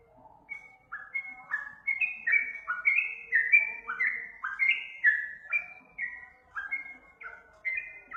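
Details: Trucuk, or sooty-headed bulbul, training song for other birds: clear fluty whistles in quick alternating high and low pairs, slightly descending, swelling in loudness mid-phrase and easing off toward the end.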